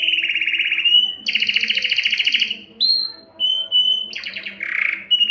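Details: Belgian canary singing to arouse females for breeding: loud rolling trills in varied tours, short clear whistles, a sudden high rattle and a soft low burble between phrases.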